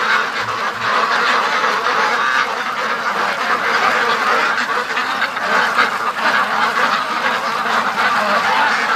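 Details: Hundreds of free-range ducks streaming home from the lake into the pen as part of their everyday routine, filling the air with a constant wall of coarse quacks and chattering calls, a couple of low thumps near the start.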